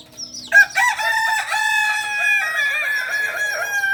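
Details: Kokok Balenggek rooster, the singing chicken native to Solok and raised on a farm, gives a sustained, rich crow that rises sharply then holds steady, unbroken over three seconds.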